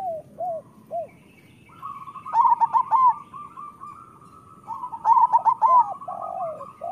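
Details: Local zebra dove song for training quiet birds to sing: scattered soft coos, then a steady run of repeated notes and two loud, rapid, stuttering trill bursts about three seconds apart.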